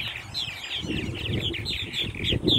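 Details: Happy purple martins chatter in quick, gurgling, throaty chirps that overlap without pause, over a low rumble of wind or wingbeats.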